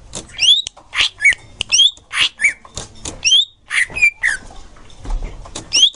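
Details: Green leafbird song played to tutor young birds. Loud short phrases come roughly twice a second: slurred rising whistles, sharp downward notes and buzzy chirps. There is soft low noise between the phrases.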